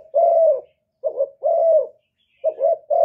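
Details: A spotted dove decoy from Cà Mau, Vietnam, coos to lure wild doves. Long, level-then-falling coos alternate with short bouncing double notes, heard loud and close with little else audible.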